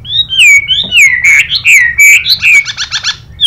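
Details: Hwamei song with a female's xùy calls: looping downslurred whistles run together, ending in a fast buzzy pulsed rattle.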